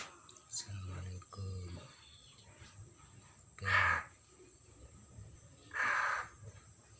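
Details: Newly caught common hill myna, not yet talking, dated 6 December 2022; two loud, harsh, rasping screeches about two seconds apart in the second half, with low murmuring sounds earlier.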